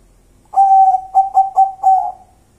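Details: Local wild zebra dove cooing: a low, resonant coo that opens with one long note, followed by three short pulses and a final drawn-out note, all at a steady pitch, with a quiet background.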